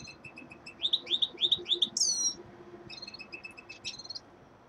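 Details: Winter song of a young male common linnet: a run of quick repeated chirps, about three or four per second, climbing into a high slurred whistle, then a few more twittering notes fading out.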